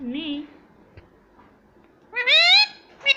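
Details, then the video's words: Indian ringneck parrot mimicking speech, saying mummy and papa: a low harmonic voiced syllable, a pause with faint clicks, then a loud rising drawn-out word and a short final syllable. "indian ringneck parrot talking mummy papa || मम्मी पापा बोलता तोता"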